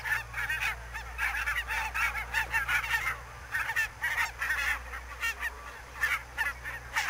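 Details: Flock of barnacle geese calling in fog at Niittylahti, Savonlinna, Finland, on 2 October 2011: many overlapping nasal, yelping honks, quick and repeated, forming a dense chorus over a steady low hum.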